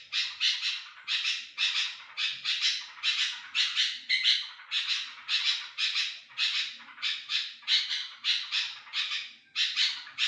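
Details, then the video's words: Sooty-headed bulbul vocalizing as a lure for other bulbuls, giving a long run of grating, buzzy bursts at a steady fast rhythm, under two per second, with faint low rumbles beneath. "Kutilang gacor garuda cocok untuk pancingan kutilang lain"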